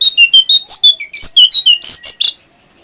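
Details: Brown prinia song used as training audio for caged birds: a fast run of about fourteen sharp, high whistled chirps, each note shifting pitch slightly up or down, delivered rapidly over two seconds before stopping, with a clean, quiet background.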